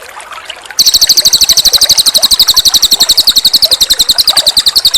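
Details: Energetic Cililin bird song for a training master: after a moment of trickling water, a sustained, very fast series of bright, high, evenly spaced notes runs to the end.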